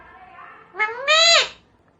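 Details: Pet Indian parrot imitating Hindi words indoors, a loud harmonic squawky utterance rising then falling, in two parts lasting about a second, with a person speaking faintly just after.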